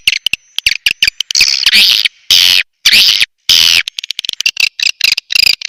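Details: Swiftlet lure call played to attract swiftlets: loud dense buzzy chirring bursts, some long and sustained, others short and rapid, separated by abrupt silences, harsh and high-pitched throughout.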